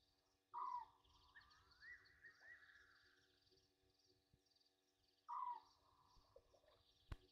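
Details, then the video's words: Night bath of Egyptian geese, 27 August 2023 at 21:32, Gowrie dam waterhole, Djuma Game Reserve, Sabi Sand, South Africa: a pair of brief, strident falling honks roughly five seconds apart, with dense trilling chorus and a faint click behind. "Egyptian Geese having bath time"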